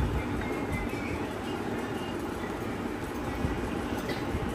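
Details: Dense, broadband train rumble and clatter fills the whole recording, with no animal voice.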